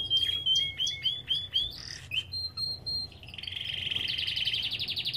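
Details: Belgian canary kept in an aviary singing clear whistled notes about four per second, then sliding and held tones, before building into a fast rattling trill at the end.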